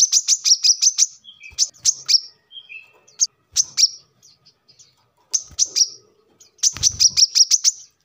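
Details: Brown-throated sunbird, known locally as kolibri kelapa or manggar, singing rapid bursts of high, sharp, ticking chips in runs of five to eight notes, with brief pauses and a few thinner lower twitters; recording used as a lure and song model for training birds.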